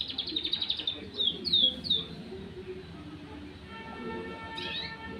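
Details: Canary, two months old and still learning its song, opens with a fast, high rattling trill, then gives a few rising-falling whistled notes before a steady mechanical hum takes over.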